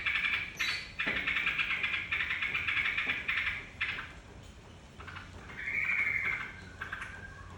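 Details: Yellow-vented bulbul song used as a lure to set other birds singing: bubbly, chattering phrases with steady whistled notes, pausing briefly before a rising whistle.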